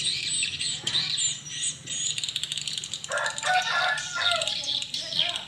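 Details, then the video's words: Swiftlets responding in the evening at a small swiftlet house: dense, high, rapid chirps and twitters overlap throughout, with a lower chattering band joining in the second half. "Burung walet respon di Rbw mini"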